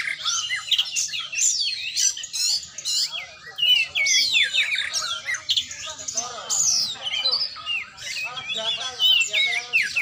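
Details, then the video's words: Training session for an oriental magpie-robin: energetic, continuous high song of swooping whistles and quick chirps in tight bursts, with a few harsher buzzy notes near the end. "latihan burung kacer"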